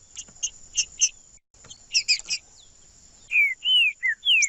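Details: Male green-winged saltator singing to stimulate other birds: a few short bright chirps, then a dense chirping burst, then four loud slurred whistles in quick succession, some rising and some falling, over a constant high hiss.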